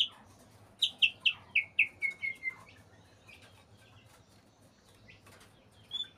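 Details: Breeding-condition white-rumped shama delivering a quick descending series of about eight ringing whistled notes, roughly four per second, then near silence with one faint note at the end.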